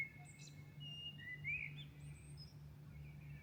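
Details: Milan birds singing at dawn while still dark: thin drawn-out whistles and a quick upslurred note, with faint high chips, against a continuous low droning hum.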